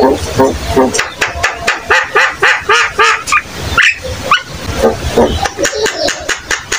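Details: Energetic Javan myna singing, intended to get young or flock-kept mynas calling along: continuous rough, nasal chattering with occasional rising squeaky notes and brief pauses.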